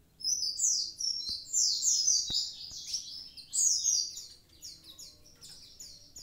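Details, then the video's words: Javan pied starling singing actively in full voice: rapid run of high, thin, downslurred chirps tumbling one after another in dense bursts, with a few faint clicks in the background. "konin ijoan gacor aktif"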